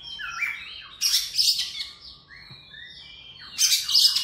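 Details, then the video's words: Morning song of an Oriental magpie-robin, a rich run of whistled, gliding notes broken by two loud harsh bursts, one near the start and one near the end. "Birds Chirping In The Morning| Natural Sound of Birds Singing|Oriental Magpie-Robin"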